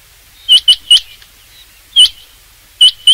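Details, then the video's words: Rain quail calling in sharp, metallic high notes given in quick pairs, three notes opening the series, then a pair near two seconds and another pair at the end, clean and loud with little background. "rain quail sound for hunting چنگاکی آواز شکار کیلئے"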